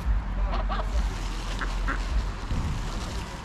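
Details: Greylag geese at Pearson Park, Hull, England, 22 August 2021, filmed on a GoPro Hero9: two short pairs of nasal honks, then a brief gap, over a steady low rumble of urban background noise.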